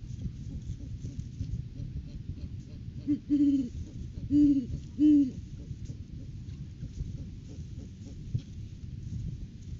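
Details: Great horned owl hooting at a nest tree in courting season, 9 January 2023, live camera. Mid-clip brings three low, resonant hoots spaced about a second apart, with constant low-frequency rumble throughout.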